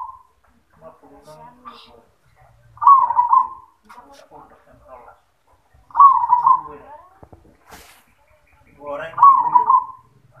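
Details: Zebra dove in a cage singing 'yoman' style: three purring, rolling coo phrases about three seconds apart, with a person's speech and faint clicks filling the gaps.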